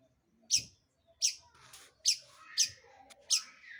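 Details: As a lure to stir other birds into singing, a long-tailed shrike gives five loud, grating notes spaced roughly every three-quarters of a second, with faint softer sounds between them.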